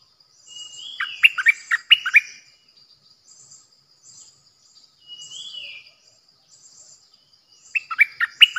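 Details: Decoy bulbul singing, recorded 8 May 2021: a slurred whistle leads into a rapid run of sharp, dropping chirps; a lone drawn-out whistle follows after a pause, and the session ends with a fresh chattering burst.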